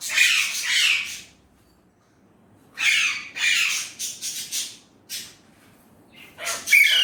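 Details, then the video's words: Indian ringneck parrot talking in Urdu/Hindi: two grating syllables, a pause of over a second, then a busy run of short raspy word-like sounds and a final squawky burst. "Indian ringneck parrot amazing talking parrot"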